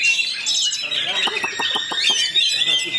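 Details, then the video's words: Fast, tight rolling song of a fighter-type Oriental magpie-robin (kacer): rapid high warbling with a burst of evenly spaced sharp ticks in the middle, the bright whistles running on continuously. "KACER ROLL SPEED RAPAT"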